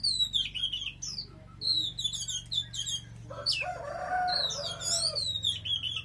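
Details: Energetic Oriental magpie-robin song of quick, varied whistles and trills, partly overlapped midway by a rooster crowing in the background.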